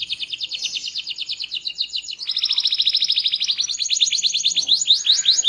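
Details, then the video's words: Varied song of a small-bodied, loud-voiced canary: a continuous fast rolling trill that drops slightly in pitch midway, then climbs into quicker sweeping notes. "Burung Kenari Gacor, Body Kecil Suara Keras Merdu Bervariasi"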